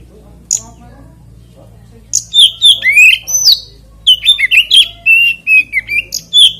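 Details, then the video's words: Lure singing of an oriental magpie-robin meant to set other magpie-robins off singing: one brief note, then quiet, then a fast, continuous stream of bright whistles and short warbled notes mixing high and mid-pitched phrases. "PANCINGAN KACER NGEPLAY ANTI NGRIWIK DIJAMIN KACER LAIN IKUT GACOR"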